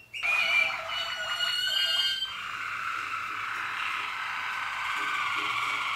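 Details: Malinois Waterslager canary song, recorded in 2014: about two seconds of deep, bubbling, water-like warbling in rapid rolling notes, then fading into a steady broad hiss.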